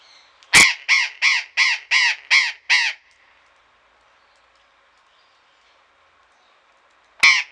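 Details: Harsh, grating calls of burrowing parrots kept in a garden in Pelhřimov, Czechia, 16 February 2018, afternoon: a rapid series of seven raspy screeches, then a long silence and one more screech.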